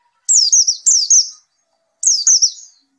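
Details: Two crisp phrases of thin, falling whistles from a white-eye after therapy, the second coming about a second after the first, with nothing else audible.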